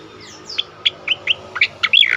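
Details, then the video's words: Loud ngerol and nembak singing from an Asian pied starling (cucak koreng): gliding whistles lead into a quick string of sharp chipping notes and a closing harsh chatter. "burung cucak koreng gacor ngerol nembak keras"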